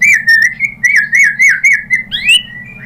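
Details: White-rumped shama song played as a lure to start another bird singing: a steady string of sweet, slurred whistles with a rising note near the end, over a faint low hum.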